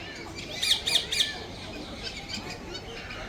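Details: Grey parrot (Psittacus erithacus) whistling: three quick, clear whistled notes about a quarter-second apart, then softer scattered chirps over a steady background hiss.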